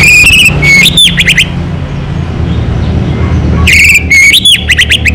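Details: Local-strain Orange-headed thrush singing energetically: two bursts of clear whistled phrases with sliding, upswept notes and quick high trills, separated by a pause, over a steady low rumble of background noise.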